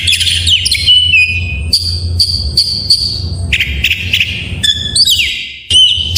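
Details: Oriental magpie-robin song packed with varied fill-in phrases, meant to provoke lazy birds of the same kind to sing: bright piercing whistles, steady held notes, downward slurs and short chips in quick succession over a low background hum.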